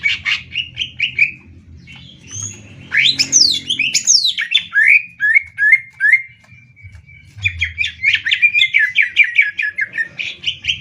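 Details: Caged greater green leafbird in a Banyuwangi versus Kalimantan song duel, 'tembak ngetrek' style: short repeated whistles, then swooping high slurs and a long steady whistle, followed by rapid staccato chirps.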